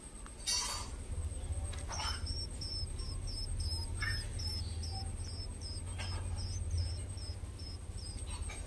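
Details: Common tailorbird; begging call; chicks begging for food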